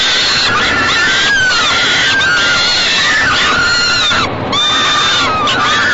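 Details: Begging screams from falcon nestlings fed by their mother in a nest box, late May 2013 around 6 pm. Rasping, wavering wails overlap one another, with a short sharp knock midway.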